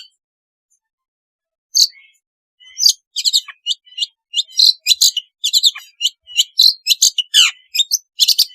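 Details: Long-tailed shrike song meant as therapy for a shrike that will not sing: after a quiet start, a dense rapid jumble of high chirps, sharp clicks and twittering notes pours out without pause.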